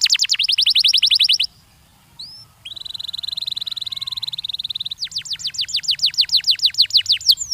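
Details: Canary song played to stimulate young canaries to sing: fast runs of steep descending notes, a brief pause with a single rising whistle, then a dense even trill, then loud repeated sweeping notes.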